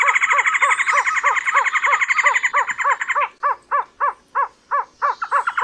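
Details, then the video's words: A trogon's rapid run of arched hoots, dense and overlapping at first with a high thin tone above, then slowing into clear, evenly spaced downslurred notes roughly three per second. "THE BEST TROGON SOUNDS COMPILATION"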